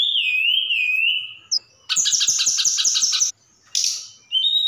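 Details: Javan bush lark from the mountains of Sukabumi, Java, singing with many inserted phrases: a long wavering whistle, then a quick rattling trill of repeated notes, a buzzy burst and a final high whistle.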